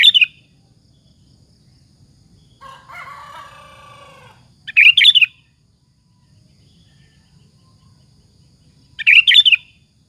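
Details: Lively sooty-headed bulbul song used to goad rival bulbuls into replying: three brief burbling phrases spaced a few seconds apart, with a rooster-like harmonic crowing sound between the first two.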